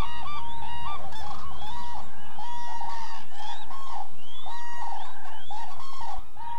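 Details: Migrating common cranes in the Hula Valley, Israel, during November, gathered in an almond orchard feeding on fallen nuts; a dense chorus of overlapping rolling, trumpeting calls from many birds continues without pause.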